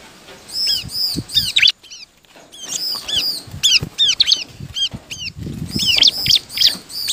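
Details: Bar-winged prinia song for luring other birds to sing: clusters of high, arching chirps broken by a short pause, then a quicker, denser stretch of notes, with faint low background noise.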